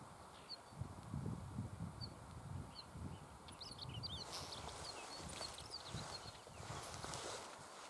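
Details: Northern wheatear, very active in the heights of Super Besse, flying off and returning to its perch: faint, scattered high scratchy chirps and short notes through the whole stretch over a low rumble of wind and handling noise.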